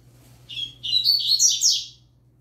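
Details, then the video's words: Novice yellow-bellied seedeater in song with a green-winged saltator nearby. A short high whistle leads into a fast run of bright, chattering warbled notes, rising and falling, ending after roughly a second and a half. "Papacapim Novato Cantando"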